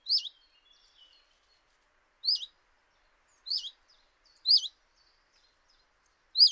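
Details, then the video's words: A common chiffchaff at a kitchen window in Eibar, early March 2018, repeats a brief high wavy note five times at uneven gaps of one to two seconds. A faint soft twittering sounds behind the first call. "Txioa (Phylloscopus collybita)"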